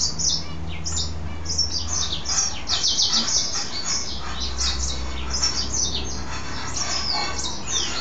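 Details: Caged male mule goldfinch after a bath, keeps singing into late evening; a string of short sharp high chirps and twitters in quick bursts, with a steady low rumble beneath.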